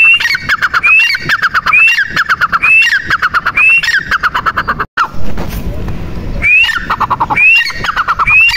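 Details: A female grey francolin's call: bright upward-sweeping whistles near once per second over dense clicking chatter. A brief break comes mid-sequence before the calling starts again.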